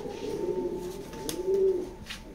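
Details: Racing pigeons give deep, soft coos, one swelling into a louder, steadier hum near the middle, over a faint constant tone and light rustling.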